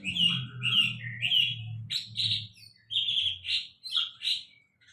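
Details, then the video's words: Sulingan laut, a caged songbird, singing loud high whistled and buzzy phrases, some rising, in short bursts separated by brief pauses, over a low steady hum. "Sulingan Laut Termahal"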